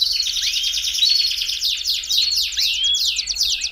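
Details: A Belgian canary's warm-up song: a continuous rapid high rolling trill threaded with looping rising whistles, loud and unbroken throughout, with a low hum beneath.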